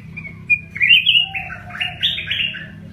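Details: Red-whiskered bulbul, kept as a cage bird in Thailand, singing a bright, warbled phrase of rising and falling whistled notes with a faint low hum beneath.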